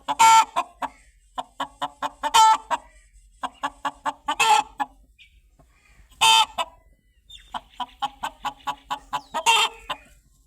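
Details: Repeated chicken clucks, short and clipped, arriving in rapid bursts about every half second, with several harsh, loud, drawn-out squawks scattered through the run.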